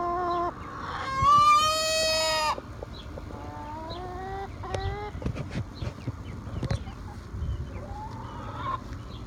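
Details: Young domestic hen, the oldest of a roosterless flock and thought to be the alpha, not yet laying, making an odd sound: a loud drawn-out whining note lasting over a second, then softer clipped notes and scuffling noises.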